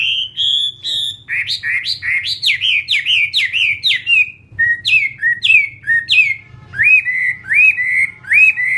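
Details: A caged Vietnamese 'họa mi chiến', or fighting Chinese hwamei, gives a long, energetic series of falling slurred whistles, then repeated upswept notes delivered about once a second.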